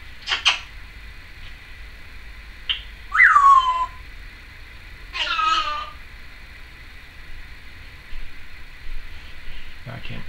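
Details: Female Timneh African grey parrot kept as a pet, recorded indoors in 2012, making various noises: a short harsh note, then two drawn-out harmonic calls that slide downward like a wavering whine, separated by quiet pauses.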